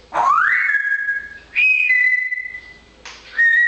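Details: Talkative pet parrot in fine weather gives three loud whistles: a first note sweeping up to a long flat tone, a second steady high note, then a shorter level whistle after a pause.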